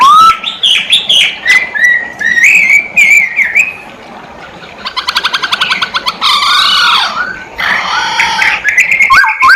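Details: Energetic masked laughingthrush song, full of varied whistled phrases: rising slurs, a fast rattling trill of clicks, harsh buzzy bursts and clear piping notes in a long continuous sequence.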